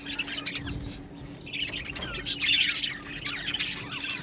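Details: Budgerigar colony in an aviary chirping: a busy mix of high, warbling chirps and squeaky notes from many birds, with a steady low hum and a few soft thumps underneath.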